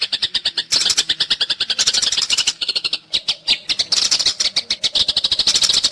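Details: Fighting Eurasian tree sparrow, recorded as tutor material for caged songbirds like white-rumped shama and greater green leafbird. Relentless rapid scratchy chirping runs in long bursts, broken by short pauses.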